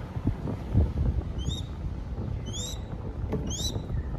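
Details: Crested goshawk chick being fed in Cambodia gives three spaced, high, rising whistled squeals, partly masked by low wind-like rumble.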